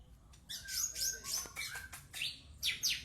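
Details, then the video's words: White-rumped shama singing in fast bursts of sharp, high downward-sweeping notes in short clusters, separated by brief pauses. "Burung Murai Batu"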